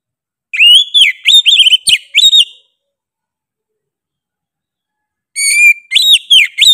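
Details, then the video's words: Kacer (Oriental magpie-robin) singing sharply and persistently: a burst of quick, looping whistled notes, a nearly three-second pause, then a new phrase opening with a steady whistle and arching sweeps. "KACER GACOR NGOTOT PEDES SUARA NYA GA DA AMPOON"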